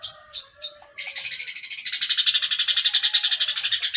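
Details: Three short high notes, then a continuous buzzy chattering trill from a long-tailed shrike that grows louder and denser, pulsing rapidly to the end.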